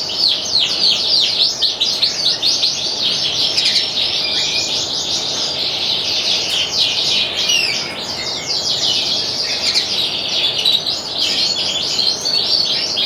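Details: Ringed canary in full song, a continuous stream of rapid high trills and twittering, set against constant loud background hiss.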